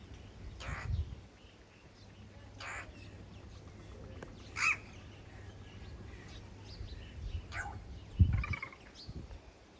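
A crow gives harsh, hoarse caws, single calls spaced roughly two seconds apart, over a steady low rumble of background noise.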